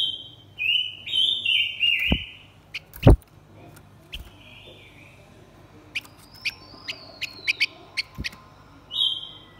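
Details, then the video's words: Male and female blue-winged minlas singing a lure song used to provoke wild birds: clear whistled phrases sliding between high and slightly lower notes, several in a row, with scattered sharp clicks and a quiet pause mid-way. "Chim khướu lùn cánh xanh hót mồi kích bổi trống mái quá đỉnh."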